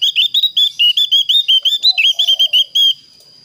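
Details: Javan grey-throated white-eye calling a rival, a clear voice: a fast run of about twenty short whistled notes near the same pitch, some rising and some dipping, ending abruptly, with a steady faint high tone behind.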